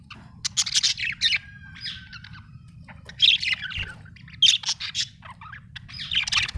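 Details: Budgerigar, described as happy, mixing harsh squawky chirps with warbled phrases and a thin drawn-out whistle, delivered in uneven bursts over a faint low hum.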